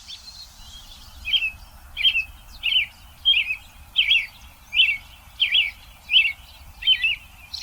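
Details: Wild American Robin singing in Vancouver, where robins breed in late May: a steady run of about ten short, warbled, slurred phrases, one roughly every 0.7 seconds, over faint low background rumble.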